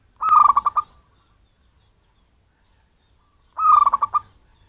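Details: Wild-origin local zebra dove calling as a lure to attract birds: two short trills of rapid, mellow coo notes, spaced about three seconds apart, in a quiet recording.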